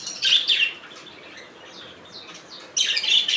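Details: Budgerigars chattering: a loud burst of buzzy chirps, a quieter stretch of soft notes, then another loud warbling burst.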